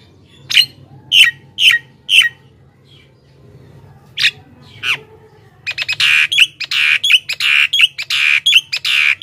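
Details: Javan myna in full energetic song, used to attract wild mynas: four evenly spaced harsh squawks, a few scattered notes, then a dense fast run of loud grating chatter to the end.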